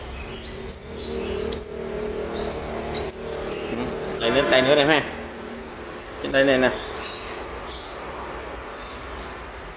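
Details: Caged wild-caught olive-backed sunbird being tamed during the morning gives high, sharp upslurred chirps, spaced about a second apart, while a man talks in Vietnamese in the middle and faint clicks sound.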